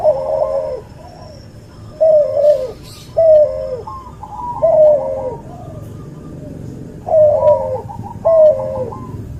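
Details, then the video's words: Cuhu hybrid dove, a cross between a white albino puter and a puter pelung, recorded as a training tutor: rolling two-part coos around every one to two seconds, with thin higher chirping notes above and a soft low hum. "MASTERAN BURUNG CUHU HASIL SILANGAN PUTER ALBINO PUTIH VS PUTER PELUNG"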